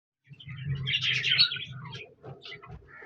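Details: Budgerigars chirping: a dense, warbling mix of high chirps and twitters that swells in the middle and then thins into scattered notes, over low, soft, hum-like sounds.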